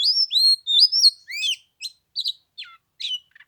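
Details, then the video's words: Caged Oriental magpie-robin during Tet, 15 degrees and cold, an hour of singing without dropping down to fight: smooth upslurred whistles followed by a string of short, spaced chips and twangy notes. "Chòe than mùng 3 tết cái lạnh 15 độ chơi 1 tiếng chim k xuống đánh"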